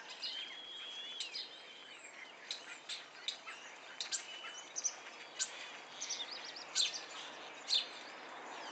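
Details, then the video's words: House sparrows in a tall, bound-up bamboo thicket at night on 16 April 2015, with blackbirds, starlings and a subdued crow also said to be present: scattered high, short chirps and a few sweeping whistled notes at irregular intervals over faint background noise. "bevreemdend bezoek bij nachtelijk mussenbamboebosjesfeest"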